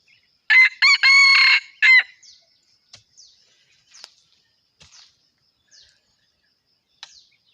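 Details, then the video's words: Gà rường F1 chicken gives one strong crow of several quick harmonic notes with a sustained centre. Soft clicks and faint high chirps follow in near silence. "Suab qaib qus quas zoo heev"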